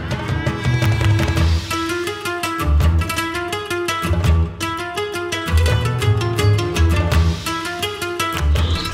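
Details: Rhythmic instrumental music with plucked strings and a steady bass beat, and no animal sound.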